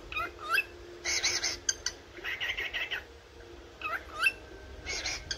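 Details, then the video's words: A pet yellow cockatiel in its morning singing gives bright, whistled chirps and short warbling phrases in bursts, some rising and some harsh, with a faint steady hum underneath. "تغريد وغناء طائر الكوكتيل الاصفر"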